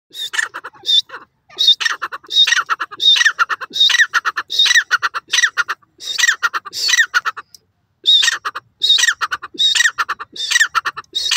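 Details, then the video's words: Francolin, known locally as teetar, calls loudly in harsh, squawking bursts rich in high overtones. The short notes come in rapid runs of about one every 0.7 seconds, with brief pauses near one and eight seconds. "sonra teetar khobsorat awaz,teeter awaz,teeter voice"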